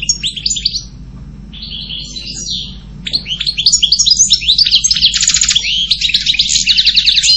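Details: Goldfinch song starting softly with scattered twitters, then swelling into a loud rapid warble with buzzy rattling trills in the second half.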